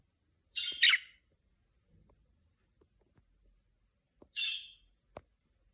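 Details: A budgie chirping before it learns to talk, while being trained to speak; a doubled rasping chirp, then a long pause and a single shorter chirp, with faint clicks in between.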